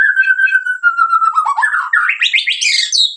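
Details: Medan white-rumped shama in energetic song, one long pure whistle gliding slightly down, then breaking into a quick series of notes that climb steeply into a bright, high trill.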